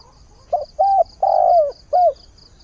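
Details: Mate-seeking dawn call of a spotted dove used as a decoy: four coos, the third long and quavering, the last falling, in one phrase against a soft steady pulsing background.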